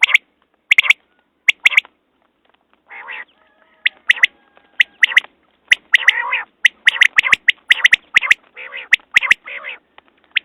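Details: Quail calls over ten seconds: crisp, short notes fired singly and in rapid clusters, mixed with buzzy, rasping phrases that grow denser toward the end; background otherwise quiet.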